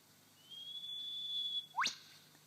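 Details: A male superb lyrebird on his dancing mound in Sherbrooke Forest Park, Victoria, copies a whipbird: a long, steady, high whistle held over a second, then one sharp upward whipcrack; quiet background.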